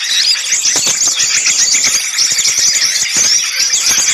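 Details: Clamour of small birds for a bird-catching lure: thin, piercing squeaks and chirps overlap nonstop, punctuated by brief sharp chips and a few lower buzzy notes.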